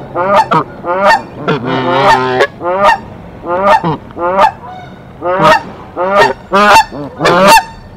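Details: Canada goose pair defending their tree nest at Decorah against an intruding goose, April 2024: steady volley of nasal honks, roughly one every second, with a longer drawn-out blare early on.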